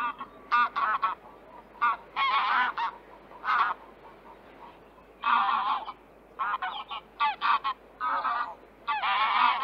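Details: Greylag Goose in Central Russia gives loud, harsh, nasal honks in irregular bursts, some single and some in quick runs of two or three.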